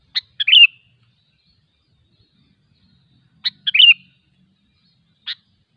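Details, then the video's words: A wild sooty-headed bulbul repeats its short, liquid, chattering phrase twice about three seconds apart, each opening with a sharp click. A lone chip closes the sequence against a silent background. "suara burung kutilang ASLI ALAM LIAR"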